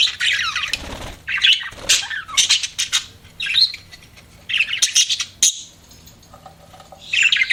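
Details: Budgies kept as pets give scratchy, buzzy chirps and squawky bursts separated by brief quiet gaps, the notes sharp and high with rough warbling textures.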